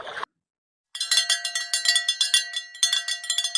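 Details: Rapid metallic clanking of a cowbell, ringing in quick uneven strokes for nearly three seconds after a short burst of sound and a pause.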